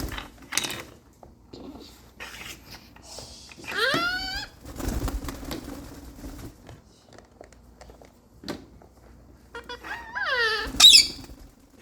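A rose-ringed parakeet chatters in bursts, with sharp descending squawks and clicks between talking-like sounds.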